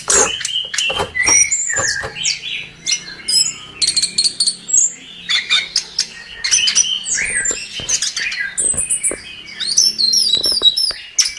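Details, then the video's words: Anis kembang in a gacor tutor recording for songbirds: dense, varied phrases of chips, whistles and buzzy high trills, over a steady low background hum. "Suara Burung Anis Kembang | Gacor 17"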